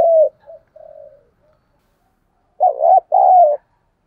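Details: Spotted dove kept as a decoy, calling and cooing at daybreak to train pet birds. Soft, faint coos open the recording, then silence, then a loud pair of throaty coos: a short note and a longer, slightly falling one.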